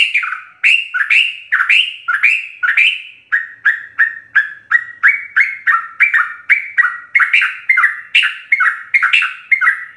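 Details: Sooty-headed bulbul singing full fill-in song for training captive birds: steady chain of short liquid whistled notes, dipping and rising, repeated quickly for ten seconds.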